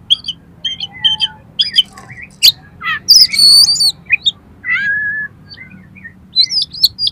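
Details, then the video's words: Oriental magpie-robin song meant to prompt a caged bird to sing and open its tail: varied whistles, rising and falling slurs, sharp chirps and a loud harsh squawk in the middle, with faint low hum behind. "DALAM HITUNGAN DETIK KACER KALIAN PASTI LANGSUNG ON !!! MAU BUKA EKOR"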